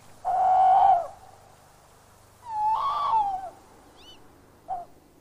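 A tawny owl hoots: a long, steady, mellow hoo, a pause, then a longer wavering hooo, and a brief final note. A faint low hum sits underneath.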